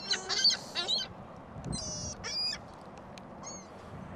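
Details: Gulls at a shopping mall on a very windy Christmas Day 2014. Loud, shrill, nasal calls come in the first second, a few more squeals follow in short bursts, and low wind noise continues beneath.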